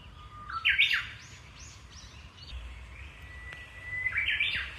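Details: Japanese bush warbler singing at a small local shrine: a long, steady whistled note that breaks into a quick, bright flourish, then a second rising whistle ending in another sharp flourish, over quiet outdoor background.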